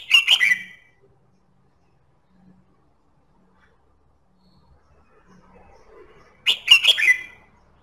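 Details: Red-whiskered bulbul singing, for stimulating other birds to sing: two short, lively phrases of chirpy whistled notes, separated by about six seconds of near silence.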